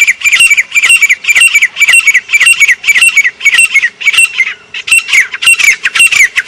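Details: A grey francolin in Pakistan gives loud, harsh, high-pitched squawking notes in rapid repeated bursts, about two a second, with no other clear sounds.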